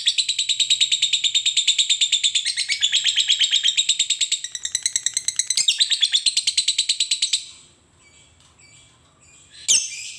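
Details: Lovebird ngekek chatter recorded to train lovebirds to sing. A long, fast rattle of piercing buzzy pulses runs for seven seconds, stops, then one sharp squeak follows after a quiet pause.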